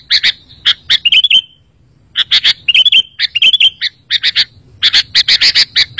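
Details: Sooty-headed bulbul song meant to make other bulbuls reply: clusters of sharp chips with brief bubbly slurred phrases, a pause near two seconds, then a denser run of rapid chips at the end.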